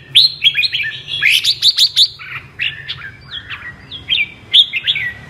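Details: Red-whiskered bulbul, apricot colour variety, in captivity. It sings double-voiced with sharp whistled notes rising and falling, a rapid cluster near the start and then drawn-out descending slurs.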